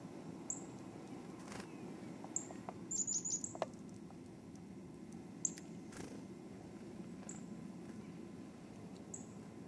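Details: Chickadees filmed in early 2008 near Fergus, Ontario: thin, very high short notes recur about every two seconds, with a quick twittering burst near the start, over steady low background rumble and a few soft knocks.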